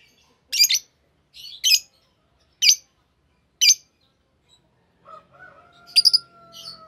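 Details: Single shrill chirps roughly one second apart from a green Fischer's lovebird pair, followed by a faint steady hum and a final burst of twitter.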